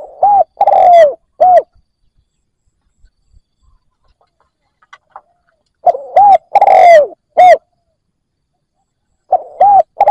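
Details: Lure spotted dove calling for wild doves: repeated cooing phrases about every four seconds, each with arched notes and one long falling slur, with faint soft clicks between phrases.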